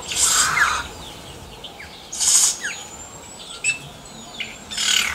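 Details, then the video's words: Singing yellow-rumped cacique outdoors, giving loud harsh broadband squawks with gaps between them, and a long thin rising whistle and short liquid notes in between. "CANTO DO XEXÉU"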